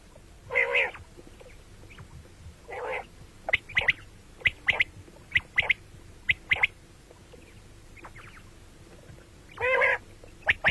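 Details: Common quail heard morning and night: three long nasal rasping notes spaced apart, with sharp clicking pips in twos and threes between them on a quiet background.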